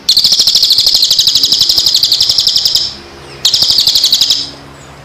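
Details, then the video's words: Training song aimed at birds in moult and just after, given as two rapid high buzzy trills, the first near three seconds long, a brief pause, then a second shorter burst. "masteran Burung istimewa.Cocok untuk Burung Mabung.&Pasca Mabung"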